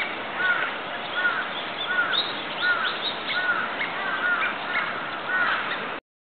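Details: A wintering falcated duck in a park pond in Sakai, Osaka, Japan, on 10 December 2012, gives short, thin whistles about once a second over steady background hiss and faint chatter from other waterbirds.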